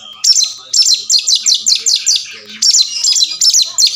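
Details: Oriental magpie-robin rattling out fast repeated scratchy high notes, roughly two or three per second, in two bursts separated by a short break. The singing is meant to spur mute birds into answering, fighting and opening the tail.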